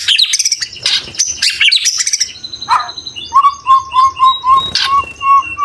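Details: Training song of the white-rumped shama (Murai Batu) with isian and tembakan: dense high chattering, then a row of about nine short, even, mid-pitched whistled notes.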